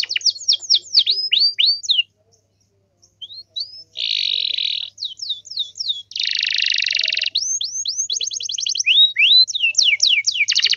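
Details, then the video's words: Canary singing, used to get other canaries to respond: quick falling whistled sweeps, a brief pause, then two long harsh buzzy rolls separated by more whistled slurs and fast trills. "SEKALI PUTAR KENARI LAIN PASTI NYAUT"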